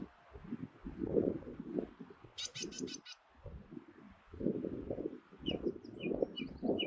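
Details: Ring ouzel calling in the Durham dales: a quick burst of about five hard, clicking tacks, then a few softer scattered notes, over heavy low wind rumble (wind noise reduced).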